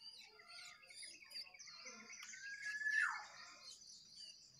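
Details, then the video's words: A wild sooty-headed bulbul and two caged birds singing against each other: jumbled chirps building to a loud whistled phrase that swoops downward, with scattered notes afterwards. "jongangan gacor 1 Liar Vs 2 Sangkar"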